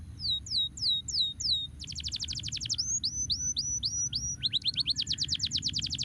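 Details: Domestic canary singing to prompt idle canaries into song, switching between tours: hooked whistled notes, a rapid buzzy high trill, upward-flicked notes, then another quick rattling trill, all over constant low background hum.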